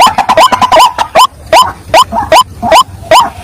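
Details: White-breasted waterhen call used to lure wild waterhens for trapping, said to work by day or night. Loud rhythmic hooked notes rise sharply, about two or three per second, with overlapping calls at first and low rough background clutter.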